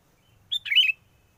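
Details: Sooty-headed bulbul calling, used as a lure for trapping birds: one short bright phrase of a clear note followed by a quick warbled, bubbling flourish, over a near-silent background.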